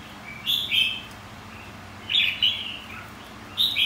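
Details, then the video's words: Contest-training song of a red-whiskered bulbul: clear warbled phrases in pairs, repeated roughly every one and a half seconds, bright and high, over faint background hum. "Kích chào mào hót đấu.. Kích má trắng hót.. Luyện má trắng hót đấu"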